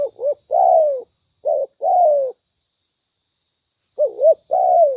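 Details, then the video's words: Spotted dove calls for luring: wobbling coos followed by long falling croos, two phrases then a pause of nearly two seconds before another begins, over a faint steady high tone. "Suara tekukur pikat mp3 gacor"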